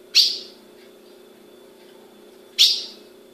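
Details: Two bright, descending chip calls from a captive female ultramarine grosbeak kept by a Brazilian breeder, about two and a half seconds apart, over a low continuous indoor hum.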